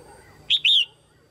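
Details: One loud call from a female red-whiskered bulbul, given to stimulate males or for pairing: a short clear whistle followed at once by a longer, downslurred whistled note.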